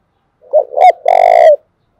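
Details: Spotted dove from Dong Nai, Vietnam, cooing to provoke and train decoy birds: a short hollow note, a brief rising one, then a longer drawn-out mellow coo ending with a slight fall.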